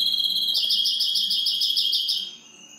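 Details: Greenfinch crossed with canary delivering a quick bubbling trill of evenly spaced high notes over a held whistled tone, ending in quieter fading notes.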